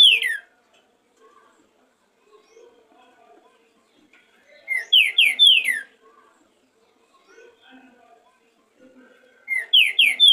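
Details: Green-winged saltator in a warm-up song session, singing loud phrases of three or four clear, slurred whistles that fall in pitch, repeated about every five seconds, with faint soft chatter between.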